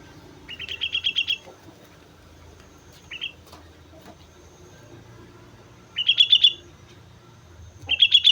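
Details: Sooty-headed bulbul singing lively on Mount Slamet: short bubbly phrases of quick, slurred whistled notes, given in bursts of about a second with quiet gaps, faint low background hum.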